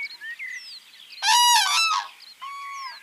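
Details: Common cranes at a village pond in Kushinagar, Uttar Pradesh, India, in summer: a loud, rolling, trumpet-like bugle lasting under a second, then a softer, shorter call, over scattered chirps of small birds.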